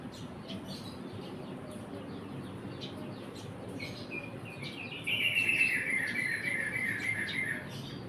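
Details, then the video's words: Caged sparrow giving quick, thin chirps in loose succession, then a louder, dense burst of rapid chattering twitters lasting about two and a half seconds before fading, over a steady low background rumble. "Burung gereja dikurung"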